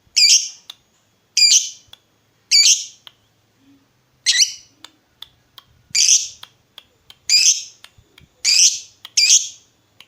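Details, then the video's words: Lovebird lure sound meant to make other lovebirds respond: loud, grating, screechy double-toned calls repeated at irregular intervals of about one second, separated by near silence and faint ticks. "Pancingan Lovebird Gacor Burung Lakbet apapun pasti Nyaut Ngekek"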